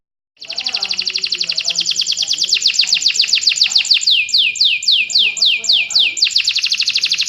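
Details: Training song of a fighting canary, kenari petarung: a dense rapid trill that slows into a long series of clear downward-sweeping whistled notes repeated about four times a second.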